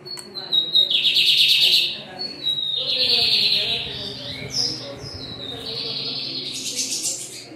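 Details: Four lined seedeaters singing bright, buzzy, high-pitched trills and twittering phrases, several birds overlapping.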